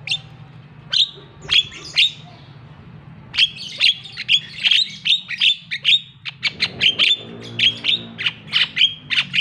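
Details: Javan myna lure to provoke silent captive mynas into calling: sharp, high chirping calls, rapid and insistent, in uneven bursts several per second, with a faint low hum underneath.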